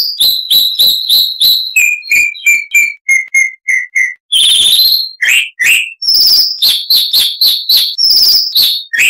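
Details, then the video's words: Chalk-browed mockingbird singing, used as a tutor recording for cage birds: rapid varied phrases, a rhythmic series of sharp repeated notes dropping in pitch, then a long harsh burst and loud whistled notes repeated about three per second. "Masteran Burung Luar Negeri Suara Kasar - Chalk-browed Mockingbird"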